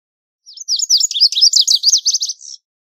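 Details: Lazuli bunting singing a bright, hurried phrase of about two seconds: high, sharply slurred notes in quick pairs, growing busier in the middle and ending in a fast buzzy flourish, with no other sounds.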